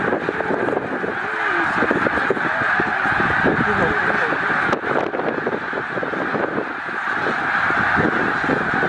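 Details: About 100,000 snow geese gathered at Middle Creek wildlife refuge during spring migration, a stopover on their way north to breeding grounds. A dense, unbroken roar of overlapping honking calls fills the scene, with human voices faintly mixed in.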